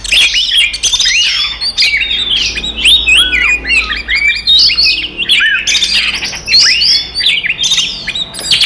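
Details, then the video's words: Oriental magpie-robin in full fighting song meant to provoke rival magpie-robins, a dense, crowded run of loud warbled whistles, harsh squawky notes and quick rising and falling chirps, nearly continuous throughout. "SUARA BURUNG kacer gacor TARUNG konslet paling AMPUH buat PANCINGAN KACER EMOSI"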